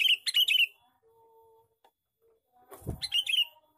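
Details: Male sooty-headed bulbul (kutilang) giving a lively chattering lure call, described as 'gecor cor cor': two bursts of quick, bright, repeated chirping notes half a second to a second long, separated by a pause, with a dull low thump during the second burst.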